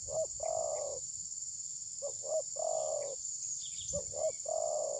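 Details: Spotted dove decoy that would not attack its rival, phone-recorded. Three evenly spaced phrases, each a pair of short soft notes leading into a long level coo, under continuous high hiss.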